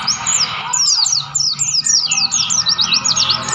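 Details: Mountain white-eyes in the wild on Mount Lawu near Tawangmangu deliver rapid, bright, high falling notes in clustered bursts, some slightly harsher, over a soft rushing ambience.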